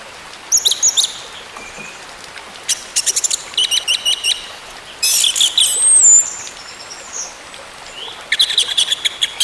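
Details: Orange-headed thrush song meant to bring a silent bird back into full song: rapid strings of repeated sharp notes, a loud chattering burst and a long slurred high whistle, with quiet gaps.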